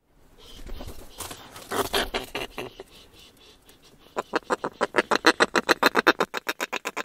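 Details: Snow petrel calls and courtship calls, a single bird and then a pair at the nest: rough, throaty chattering at first, then a fast, loud series of harsh pulsed notes, about three a second, ending the clip.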